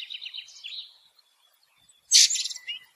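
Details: Ring ouzel delivering a quick trilled, twittering phrase, then a brief quiet gap and a loud, harsh, buzzy burst trailing into softer chattering notes.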